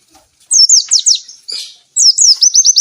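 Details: Oriental white-eye song for provoking and training lazy birds to sing: quick high chirps falling in pitch, a brief buzzy burst, then a fast run of repeated rising notes.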